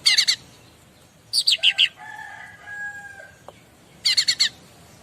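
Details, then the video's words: Bar-winged prinia song serving as a master to make other birds call back: three bursts of four or five high sharp chips, separated by faint steady lower whistled tones. "Burung Apapun Pasti Nyaut Masteran Cica Ranting"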